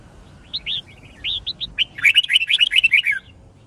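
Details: Red-whiskered bulbul singing fighting song for song-learning training: separate clear whistled notes rise into a fast, tumbling run of bubbly chirps lasting about a second and a half, with quiet background.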